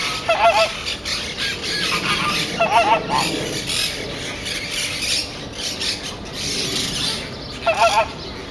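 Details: Chilean flamingos at the Jardin des Plantes menagerie, a few short nasal honks with a wavering pitch heard near the start, again around three seconds and near the end, over a steady hiss of background noise.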